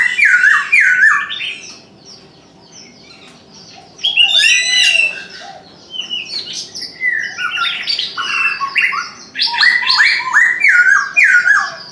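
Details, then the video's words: Chinese francolin calling at dawn: repeated loud ringing notes in quick rhythmic groups, a pause, then more phrases, mixed with chirps and squawks of other birds. "Chim đa đa gáy sáng"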